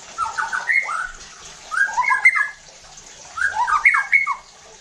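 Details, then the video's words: White-rumped shama song played to provoke other shamas into aggressive singing: three phrases of jumbled, fluty whistles with sharp slurred notes, roughly one phrase every one and a half seconds. "PANCINGAN EFEKTIF JADIKAN MURAI BATU NEMBAK KASARR UNTUK MENINGKATKAN EMOSI DAN BONGKAR ISIAN"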